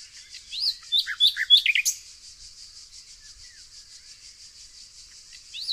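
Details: Nightingale in the green countryside of Tonekabon in northern Iran, giving one brief, rapid burst of sharp, varied notes. Quiet follows, with only a constant high insect-like hiss and a faint final note.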